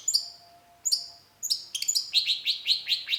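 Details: Long-tailed shrike singing as a lure for others to respond: two thin high whistles, then a quickening series of bright, downslurred chirps.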